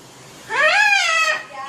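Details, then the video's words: Pet macaw mimicking human speech by saying "hello": one drawn-out, rising then falling voiced word, rich in harmonics, lasting under a second. "talking parrot saying "Hello""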